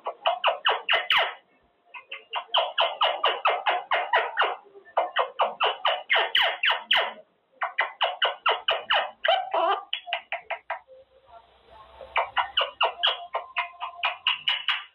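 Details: Caged pet male Quaker parrot practicing words during cage time, a long run of rapid harsh chattering syllables in bursts of several seconds with brief pauses, some talking-like notes near the end.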